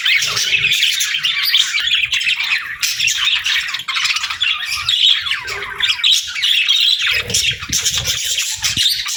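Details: Caged pet budgerigars keep up a busy stream of rapid chirps, squawks and warbled notes, overlapping without pause, with faint low thumps underneath.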